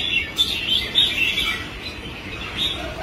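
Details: Red-whiskered bulbul, a newly caught wild bird kept for song training, giving its competitive fighting song: a continuous run of bright, slurred, warbled phrases with brief louder accents. Steady background hiss throughout.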